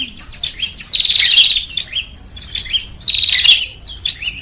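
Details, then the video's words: Lure sound of the bar-winged prinia for attracting birds to traps. Two bright bursts of quick, high, clipped chirps stand out, with softer scattered twittering and short descending notes filling the spaces between. "SUARA PIKAT BURUNG PRENJAK"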